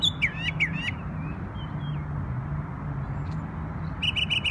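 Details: Wild bird singing in New York on Memorial Day: a quick burst of sharp descending chirps at the start, a long quiet gap, then a fast trill of bright notes at the end, over a steady low rumble of background hum.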